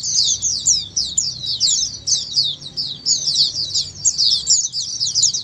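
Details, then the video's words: Many Oriental white-eyes singing at once, used to make a quiet pet white-eye reply and sing more: shrill, high, quick chirps and downslurred twitters crowded together in pulsing bursts, with a soft low background hum. "Dengar Suara Pleci Ombyokan ini pasti nyaut burung pleci anda"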